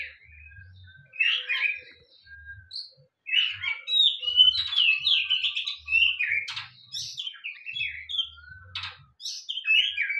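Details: Caged white-rumped shama (kacer) set out in the sunshine to stay healthy and sing well; bright varied song of high whistles, trills and harsh chattering notes in rapid irregular phrases, with low thumping in the background.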